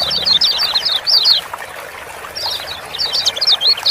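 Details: Ciak-ciak calls of the kecial kuning, or Lemon-bellied white-eye, used to coax silent birds into singing. Rapid high twittering bursts at the start and again in the last second and a half, with a quieter gap between.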